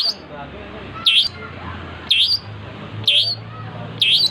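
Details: Long-tailed shrike singing energetically: four loud, abrupt, swooping notes about a second apart, set against a steady low drone and faint background noise.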